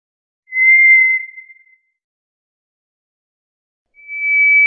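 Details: A White's thrush (Zoothera aurea) sings two long, thin, pure whistles about three seconds apart, with silence between; the second is slightly higher and eerie in tone.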